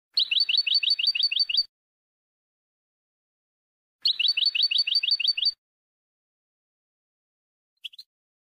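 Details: Goldfinch song for tutoring young birds, 2020: two rhythmic trills of about ten rapid downslurred notes each, roughly four seconds apart, then two faint short chips.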